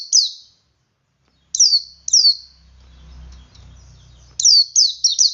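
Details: Male Oriental white-eye 'ngalas' song used to stir other white-eyes into singing; scattered high, sharp descending chirps, a low rumbling noise in the middle, then a quick run of three chirps.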